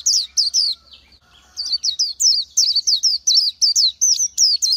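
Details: Oriental white-eye singing in the wild: rapid series of high, thin whistled notes with a twisting falling-rising shape, repeated over two runs separated by a short pause, clean background.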